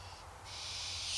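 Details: Begging from hungry barn owls, a short clip where a breathy, high hiss swells and grows louder toward the end, broad rasping noise with no tonal note, above a faint low rumble.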